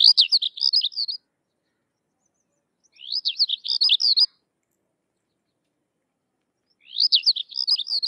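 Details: Sykes's lark repeats a fast, high, trilling warble roughly every three seconds. Each phrase lasts about a second and is made of rapid descending chirps. Nothing else is audible.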